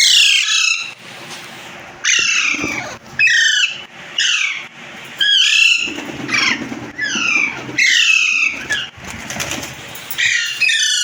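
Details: A colony of caged budgerigars in an aviary, playing, singing and feeding, fills the air with dense overlapping chirps and squawks. Harsh downward-sliding notes tumble one after another with hardly a pause.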